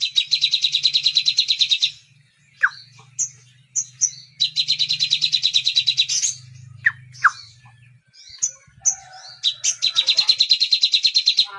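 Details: Song of a crimson sunbird (sogon) carrying kapas tembak imitation: three bursts of rapid high buzzy trilling, each a couple of seconds long, separated by sharp falling whistles and short chirps, over a faint low hum.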